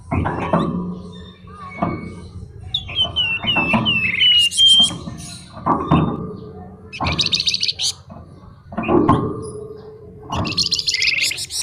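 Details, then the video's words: Flamboyan songbird with lavish fill song: short whistled slurs, then repeated harsh buzzing rattles spaced a second or two apart, with scratchy chirps and low background rumble. "Burung Flamboyan Gacor Isian Mewah Nyuling Ngebren"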